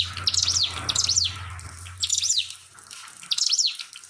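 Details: Pied fantail song with trickling water: four separate bursts of high, thin, rapidly up-and-down chirps spaced about a second apart, over a low hum.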